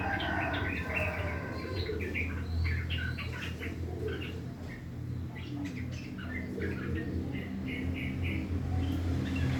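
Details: Morning song of a yellow-vented bulbul in the harsh 'ngriwik' manner, 'uklik uklik tok tok': rapid clipped chirps, several per second, some brief pauses, with a loud steady low droning background.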